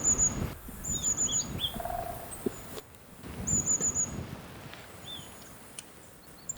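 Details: In winter forest at Shunkunitai, Nemuro, Hokkaido, a flock of long-tailed tits, heard all morning but hard to find, gives very high, thin, crisp, fast calls in quick bursts, with a few lower chirps from other birds.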